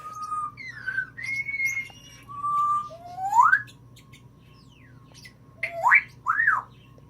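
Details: Female pet African grey parrot imitating sneezing, laughter and a messenger ringtone: a string of clear whistled notes, some flat, some sharply rising sweeps, with a low steady hum underneath.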